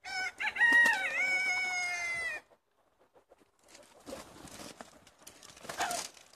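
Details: A flock of 70 chickens let out for the day in Longford, Ireland, on 25 February 2016: a long, clear, harmonic crow-like call with a dipping then level pitch, then a pause and low rustling with muffled clucks.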